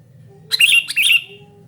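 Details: Sooty-headed bulbul noisily calling with a pair of rasping, buzzy chatter phrases in quick succession, ending abruptly, over a faint low drone.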